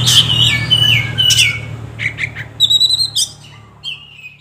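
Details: Oriental magpie-robin lure song meant to prompt birds to sing: harsh squawky whistles, then quick stuttering chips and thin high whistled notes, over a low hum.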